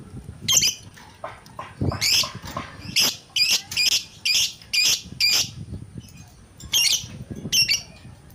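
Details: Lovebird singing in an agitated, fired-up mood: a series of harsh, scratchy, high squawking chirps in short bursts, some doubled, with uneven gaps and faint low background noise.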